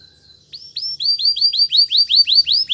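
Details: Canary song for training: a thin held note, then a run of bright arched whistled syllables repeated about five times a second.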